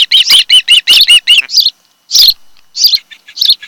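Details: A mated osprey pair's nest on Kent Island, Maryland, watched by camera on the afternoon of 26 July 2018: a rapid, even series of sharp whistled chirps, a brief pause, then scattered single chirps.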